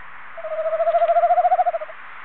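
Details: Male tawny owl calling close to its nest box on 21 February 2015: a single quavering hoot about one and a half seconds long, rapidly pulsing and swelling in loudness before cutting off, over a quiet background.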